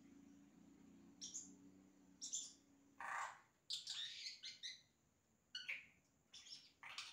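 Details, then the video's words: Yellow-rumped cacique mimicking other sounds with short high chirps, a loud harsh burst, then tumbling whistled and buzzy notes; soft low tonal background sound at the start. "Xexéu Cantando imitações"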